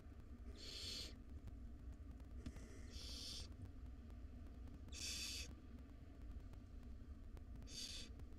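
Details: Wild barn owl chicks, five hungry nestlings in a monitored nest box awaiting dinner, give four rough snoring hisses, one drawn out and doubled, against a low steady hum.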